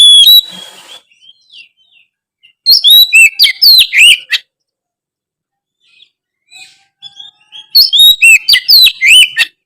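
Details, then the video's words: Chatty oriental magpie-robin song meant to stir lazy birds into singing: rapid tumbling phrases of varied whistles, chirps and slurred notes, in two dense bursts with a quiet stretch between. "siulan kacer gacor memancing kacer malas bunyi menjadi lebih rajin bunyi"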